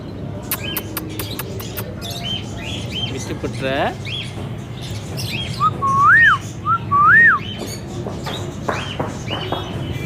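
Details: Green Indian ringneck parakeet making talking sounds: scattered clicks and a brief raspy burst, then two loud clear whistles about a second apart, each a short upslur followed by a higher rising-falling arch, over low hum.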